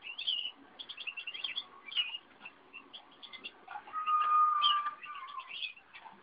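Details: Eurasian bullfinch recorded on 30 April 2011. It gives a busy run of short chirps and twittering notes, then a long, steady, level piping whistle in the middle of the sequence, followed by more scattered chirps.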